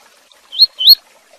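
A Double-collared seedeater gives two quick, high, wavy whistled notes, each rising then dipping, a fragment of a tutor song, with no other sounds.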